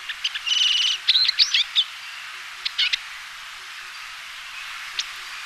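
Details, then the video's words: A Eurasian siskin sings a quick, high twittering phrase with a buzzy trill and squeaky notes, followed by a few scattered chirps. "黃雀/Eurasian Siskin(Spinus spinus) singing"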